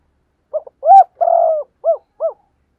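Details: Lure spotted dove in rousing song: short note, arched rising-falling coo, long level deep coo, then two brief arched coos. Close and clear with no other sounds.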